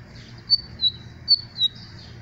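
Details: Lined seedeater giving four short, high, thin whistled notes in two pairs, each note sliding slightly, over a faint background hum.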